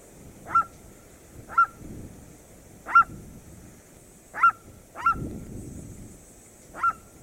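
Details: Red-legged seriema of the Cerrado giving its call: sharp, high yelping notes spaced roughly one to one and a half seconds apart, each note brief and ringing, over a faint low rumble of background noise.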